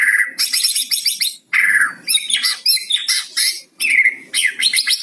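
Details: White-rumped shama song with cucak cungkok mimicry, played to coax silent shamas into singing; loud, dense scratchy chatter alternates with downslurred whistles and sharp rising notes in quick bursts, with a faint low hum behind.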